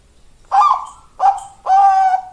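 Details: Zebra dove, said to have a 'death angel' voice fit for breeding stock, gives three rough, resonant coos: two separate short notes and then a long, steady one held for about half a second.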